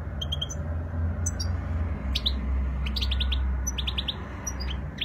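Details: Spanish European goldfinch singing a flawless song: quick runs of bright, high twittering notes and tinkling chirps in rapid clusters, continuing through the clip over a low rumbling background.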